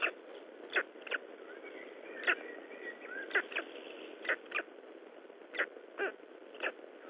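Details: Black stork chicks calling from inside their eggs in Estonia, 19 May 2012, with a hole in one egg. Faint squeaky notes are heard among sharp taps that come about every half second to second.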